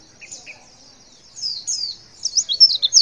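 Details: Calling female white-eye, a call that makes males respond: two soft chirps, then growing high, thin trills and a final stretch of rapid, sharp, piercing chirps in quick succession.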